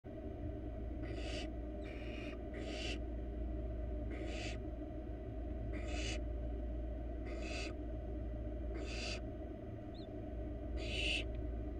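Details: Wild barn owl nestling in a monitored nest box, broadband hissing screeches of about half a second repeated irregularly, eight bursts over twelve seconds, over a steady low hum from the nest camera.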